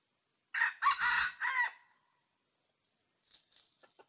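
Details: Red junglefowl from Ninh Thuận, Vietnam, 2019, an early-season decoy bird for trapping, gives a loud hoarse crow in four quick rough bursts, then quiet, with faint high chirps and light ticking from small birds afterward.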